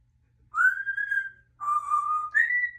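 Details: Pet African grey parrot whistling indoors: a long steady mid-pitched whistle, a pause, then a second lower held whistle that steps up at the end.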